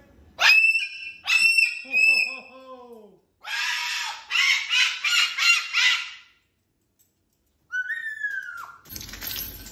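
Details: Caged pet cockatoo performing on top of its big cage: loud, rising squawks with ringing overtones, then a run of harsh, grating screeches in rapid bursts, a pause, and a falling whistle-like call, ending in a burst of noise.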